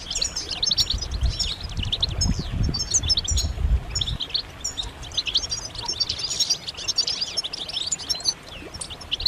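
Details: A group of European goldfinches giving mating and readiness calls meant to prompt males to sing. Rapid high chirps and liquid twitters overlap continuously, with a low rumbling noise during the first four seconds.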